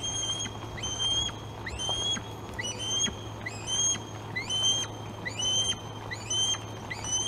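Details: Osprey at the Glaslyn nest on 26 August, as fish are brought to two young: a steady series of clipped, whistled chirps with a quick rising start, roughly one per second, over a faint low hum.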